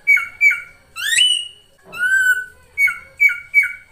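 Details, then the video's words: Ashy drongo (srigunting krantil saeran) singing: short paired downslurred whistles, a sharply rising squeal, a long level whistle, then three more quick downslurred notes in a brisk rhythm. "SRIGUNTING KRANTIL SAERAN GUNTING GACOR"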